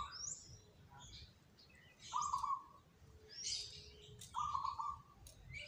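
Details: Zebra dove, one of three selected keen performers, gives two short rolling, purred coo phrases about two seconds apart among scattered high chirps from other birds and faint low rumble.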